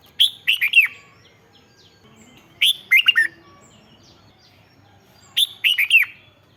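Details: Caged-bird excitement song of the red-whiskered bulbul: three cheerful phrases spaced roughly two and a half seconds apart, each a brisk string of three or four looping, liquid whistled notes.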